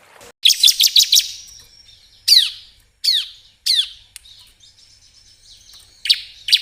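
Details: Bar-winged prinia lure sound for attracting birds: a quick burst of high chirps, then sharp downward-sweeping notes spaced about a second apart, with a final pair of high chirps.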